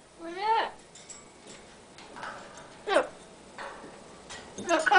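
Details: Pet Amazon parrot indoors, chattering while its owner types: a harmonic, wavering rising-and-falling call near the start, followed by several short, sharp squawk bursts spaced about a second apart in a quiet room.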